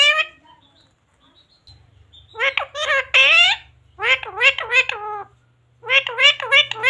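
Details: A talking pet parrot indoors says Hindi words such as mummy and papa in raspy, squawky, speech-like syllables. They come in quick groups of three to five, split by short silences, over a low steady hum.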